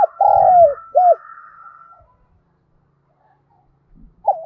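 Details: Decoy spotted dove calling in the morning to lure wild doves, with a low earthy voice: a drawn-out falling coo followed by a short second note, then silence and the start of another phrase.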